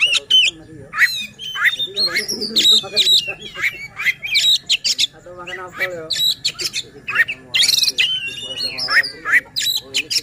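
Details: Energetic white-rumped shama song meant to excite rival shamas, a rapid mix of whistled slurs, harsh chatters and high squeaky notes in dense runs, with people talking and a steady hum in the background.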